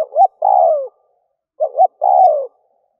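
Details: Spotted dove as a decoy to provoke wild doves, two closely spaced cooing phrases about one and a half seconds apart, each two quick low hoots and a drawn-out, falling, rough coo.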